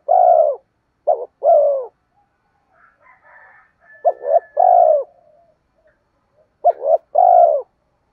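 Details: Spotted dove giving provoking lure coos: three phrases of a short double note then a long falling coo, with a faint scratchy higher sound in the gap between the first and second phrase.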